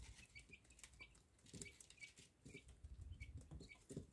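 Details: Quail chicks give brief, thin, high peeps, several per second, mixed with busy rustling, tapping and scuffling noises of the birds moving about.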